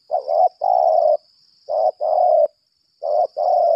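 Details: Spotted dove kept as a decoy bird, giving a fighting call: three rounds of a short coo followed by a longer steady hoarse coo, loud and close.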